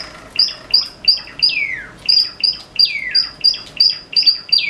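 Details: Java sparrow singing in the morning, one of several birds kept together: a quick run of clipped, bell-like high notes repeated about three times a second, broken twice by long whining slurs that glide downward, all fairly loud and close.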